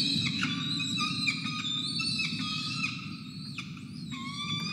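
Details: Hungry peregrine falcons at a feeding, filmed by a nest camera at Charles Sturt University on 5 November 2021 after 24 hours without food. Drawn-out wailing whines slide up and down in pitch almost continuously, over a constant low hum.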